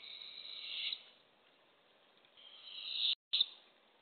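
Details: Early-morning Barred owl nest box scene, April 27, 2024, during a prey delivery of a baby opossum to owlets: two breathy, rasping hisses separated by a quiet gap, the second briefly interrupted by a short dropout.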